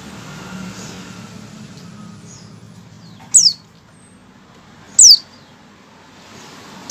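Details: White-eye's opening call before singing: two isolated, quick, very high downward-sweeping notes about a second and a half apart, over a steady background hiss and low rumble.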